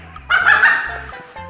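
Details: Desi hen in Bangladesh shouting from an upstairs roof after laying an egg there, calling until a family member comes: one loud, harsh, drawn-out squawk, falling and fading, over steady background music.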